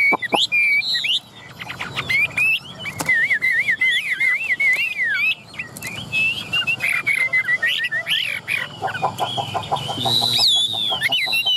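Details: Chinese hwamei, a caged songbird from Vietnam with fine plumage, delivering a long rambling whistled song of slurred, wavering notes with scattered sharp clicks, and a rising squeal near the end.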